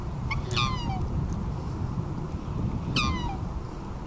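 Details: A black swan calls on the Rhine at Märkter Stau, on the Swiss–German border. Two high, wailing notes slide steeply downward, about two and a half seconds apart, over a low, constant background rumble.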